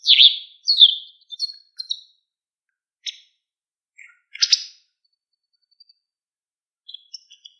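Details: White wagtail with a few loud, high, down-slurred chirps at the start, then sparse, fainter clicks and chirps spaced over several seconds; otherwise silent.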